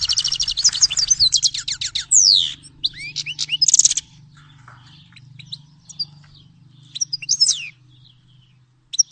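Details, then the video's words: Grey-headed goldfinch gives a dense burst of fast twittering and slurred high whistles, then scattered thin chirps over a steady low hum, ending with a brief final note. "Щегол седоголовый (Carduelis caniceps)"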